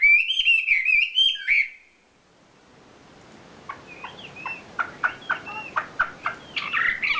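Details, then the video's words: Champion wambi bird singing its isian filler song: a loud burst of rapid, chattering, warbled notes for about a second and a half, then quiet, scattered short chirps and sharp clicks. "SUARA KICAU ISIAN BURUNG WAMBI JUARA"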